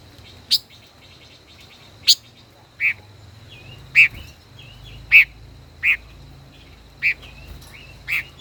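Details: Five-colored bird, a caged decoy bird kept over a year, in a singing duel: loud sharp chips repeated at uneven intervals about a second apart, with soft wavering whistles between them and a steady high tone behind.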